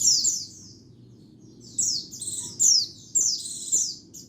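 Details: White-eye giving bright, high, down-slurred buzzy calls for luring, one early then a cluster of four close together, against a faint low background noise.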